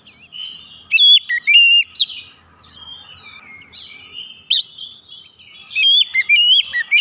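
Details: Oriental magpie-robin song played as therapy to get stressed or silent magpie-robins singing; a loud whistled phrase, then a soft quiet warble, then another burst of bright, quickly slurred whistles.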